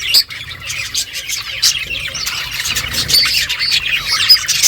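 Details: Budgies chirp as they eat, a busy chatter of thin whistles, scratchy warbles and squawks from several birds at once.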